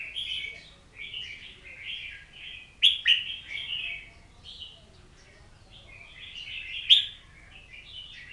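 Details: Oriental magpie-robin in sustained song: a continuous run of varied whistles and warbles with occasional sharp, high accented notes, delivered in uneven bursts with short gaps between phrases. No other sounds stand out.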